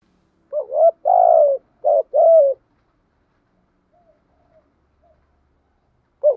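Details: A decoy spotted dove coos to lure wild doves. Four clear, mellow coo notes run in quick sequence, the second and fourth longer and rolling. Faint soft notes follow in a long quiet gap before one more coo begins. No other sounds are heard.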